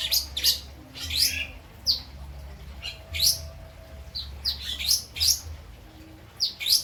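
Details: Lovebird from West Java whose song carries kapas tembak and citblek fill-ins: loud high chirps and quick downslurred whistles in irregular clusters roughly every second, with a low steady hum.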